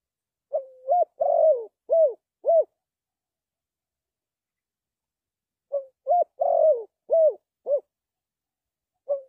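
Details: Decoy recording of a spotted dove for trapping: two phrases of soft coos, each a quick rising note, a burry descending coo, and two arched notes, separated by about three seconds of silence, ending with a new short coo.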